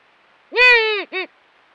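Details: Female Eurasian eagle-owl, caught on a camera trap, giving an intimidating warning cry at an intruder near the site: one harsh, drawn-out nasal bark with rich harmonics, followed by a shorter second note; quiet background.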